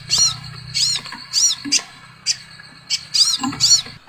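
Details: Crimson sunbird chips, from a recording said to make other birds call along: thin, high, arched notes in irregular clusters with short gaps, and a faint low mechanical hum underneath.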